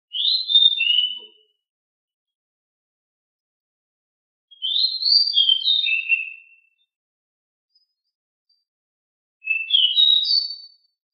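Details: Very noisy, agile pied bushchat singing in a rolling style. Three short, bright, whistled-warbled phrases come about four to five seconds apart, with quiet between them.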